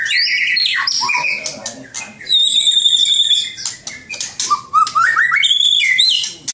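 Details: Caged murai batu, the white-rumped shama, pouring out a fast medley of whistles, with steady high sustained tones, rising stepped notes and quick chips, loud and nearly continuous.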